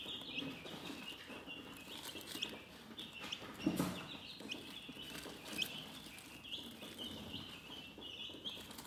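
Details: Quiet chickens keep up a gentle, steady chorus of high chirps, with a low rustle or cluck near the middle and faint background hiss.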